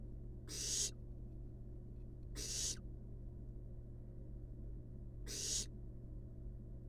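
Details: Wild barn owl nestlings napping in a monitored nest box give three harsh, breathy hissing bursts, each under half a second, spaced unevenly over a steady low hum.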